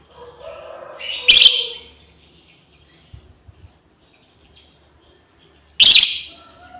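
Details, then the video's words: Two piercing harsh screams about four and a half seconds apart from a female lovebird calling companions, the first preceded by softer chattering, with a few faint knocks between. "SUARA PEMANGGILAN BURUNG LOBEBIRD//BETINA MEMANGGIL KAWAN"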